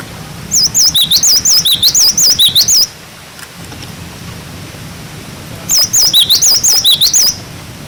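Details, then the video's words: Cinereous tit singing clearly, recorded to tutor young birds: high wavering whistled phrases, wucit-wucit notes rolling up and down, given for over two seconds, then repeated after a pause. "Masteran glatik batu wucit wucit"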